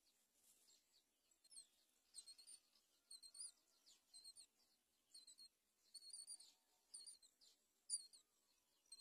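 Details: Great myna baby bird fallen out of a hole in the nest, calling: bursts of thin, high squeaky chirps in short clusters roughly once a second, irregular, over a quiet background.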